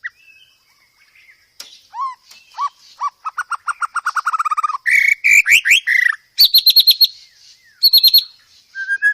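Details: White-rumped shama master song for training cage birds, packed with varied filler phrases: scattered whistles, then a rapid run of evenly spaced falling notes, followed by loud buzzy rasping bursts and sharp high trills, ending with a soft whistle.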